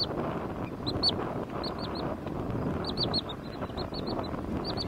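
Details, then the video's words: A Wood Sandpiper at the lakes of Quinta do Lago, Loulé, Algarve, Portugal, on 27 April 2022 gives high, clipped 'chiff-iff-iff' notes in quick runs of three or four, over a steady rumble of wind or distant traffic. "Wood Sandpiper (Tringa glareola)"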